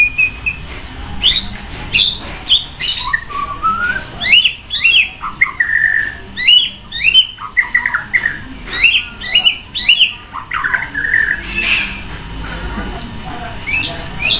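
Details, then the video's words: White-rumped shama, a caged bird set out to sun beside a busy road, singing loudly with a rich variety: rapid bursts of whistled, upslurred and downslurred notes and harsh squeaky phrases, delivered in quick repeated strophes with short pauses. "Buat emosi naik murai batu jemur di jalan raya // suara mewah banyak isian auto keluar"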